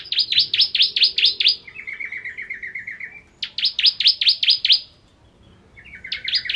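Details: Ciblek kristal (bar-winged prinia) in lively ngentrok song: fast series of high, rasping downward-sweeping notes alternating with lower, softer trills, repeated in two bursts separated by short silences.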